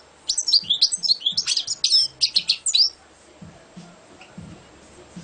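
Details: Champion European goldfinch in a clear burst of fast twittering song, quick bright slurred notes packed together for about two and a half seconds, then quiet with faint low knocks.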